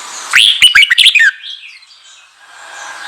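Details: Red-whiskered bulbul song for exciting newly caught birds: one short, rapid phrase of bright, warbled, slurred notes lasting under a second, followed by a fading hiss.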